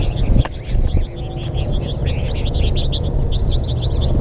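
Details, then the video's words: American goldfinches crowding feeders in Gainesville, Florida, in March 2021, late in the winter season; a chorus of high rising and falling chirps, with a couple of sharp knocks early on and a low droning rumble. "American Goldfinch flock in The Final Flourish"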